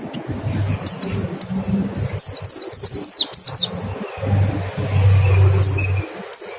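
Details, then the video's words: Mountain white-eye 'nembak' song used as a lure for singing: scattered bursts of high, sharp, descending notes over a steady low hum, with a dense cluster in the middle and single notes near the end. "Suara PLECI NEMBAK dan PANCINGAN NGECAL"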